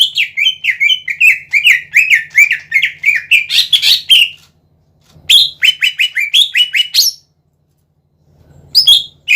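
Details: Greater green leafbird in energetic song, played to excite other cucak ijo: a long fast stream of sliding chirped notes for over four seconds, a second shorter burst, then a final brief phrase after silence.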